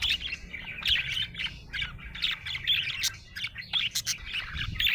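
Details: Happy budgerigar chirping: dense warbling chatter of short bright chirps and trills, with occasional sharp clicks, running continuously with brief pauses.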